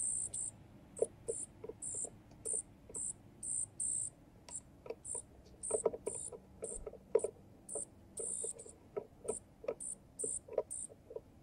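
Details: Young junco begging as an adult male feeds it on a miniature balcony feeder visited by wild birds: steady run of thin, very high squeaks, some drawn out, mixed with soft clicking pecks.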